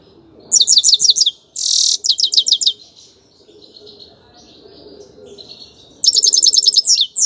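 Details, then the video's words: Grey-crowned goldfinch singing: bursts of rapid, bright, high twittering notes, each lasting about half a second, separated by short pauses, with a long quiet gap before a final fast chattering run. "Пение щегла | пение седоголового щегла"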